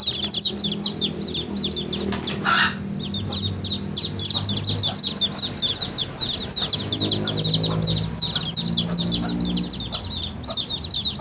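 A crowd of baby chicks peeps nonstop, with high, thin, down-slurred notes overlapping in a shrill chorus.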